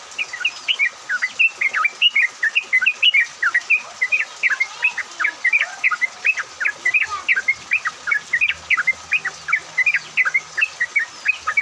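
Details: Yellow-vented bulbuls singing in a lively flock-style chorus used as a lure for other bulbuls, recorded in rain; continuous rapid, bubbly warbled notes, about two or three per second, steady throughout with light background hiss.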